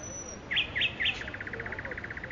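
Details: Nightingale in Makui park: three loud, sharp chirped notes, then a rapid rattling trill of evenly repeated short notes, following a thin high whistle.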